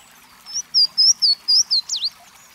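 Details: Louisiana waterthrush, a bird of bubbling brooks, sings a bright phrase of about six loud, slurred downward whistles followed by a short, abrupt jumbled ending, heard against quiet background.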